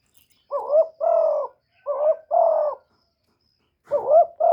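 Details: Decoy spotted dove cooing to excite other doves, recorded directly with no background noise: three quick two-part phrases, a wavering upturned note followed by a steady mellow coo, repeated roughly every one and a half seconds.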